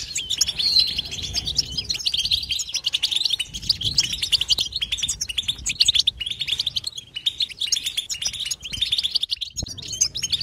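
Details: Continuous European goldfinch song with no gaps, a long steady stream of rapid tinkling twitters, clipped chirps and fast trills at high pitch, the rhythm rising and falling in short bursts throughout.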